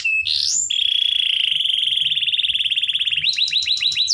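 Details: Canary song used to tutor young canaries: a rising whistle, then a long steady pulsing trill lasting over two seconds, ending in a quick series of bright sweeping notes over a faint hum.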